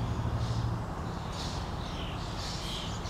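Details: Common starling parent feeding its fledglings on a lawn in Helsinki, Finland, June 2013: harsh, buzzy high-pitched bursts recurring every second or so over a steady low hum and broad background noise.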